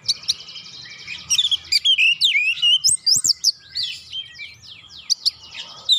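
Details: Oriental magpie-robin song serving as a lure to get other birds singing, a fast rattling series followed by high, steeply rising and falling whistles and chirps in rapid succession.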